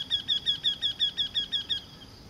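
A Eurasian wryneck sings a quick run of nasal, ringing 'quee-quee-quee' notes.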